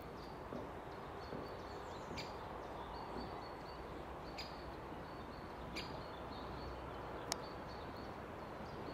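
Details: Great spotted woodpecker (Dendrocopos major) at Orlov Vrh, Ljubljana, Slovenia, on 11 April 2023, giving sharp, high single 'kix' notes at irregular one-to-two-second intervals, over steady rushing background noise and faint thin notes from other birds.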